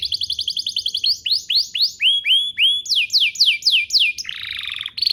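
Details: Canary singing as a lure to make other canaries start singing: rapid trills give way to repeated rising swoops, then descending slurred notes and a closing buzzy trill.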